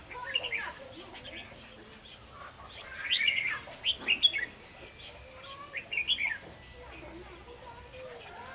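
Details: Bulbul trapping scene: red-whiskered bulbul gives bright, bubbly whistled phrases and quick chirps in several clustered bursts, over a quiet hiss with faint lower notes.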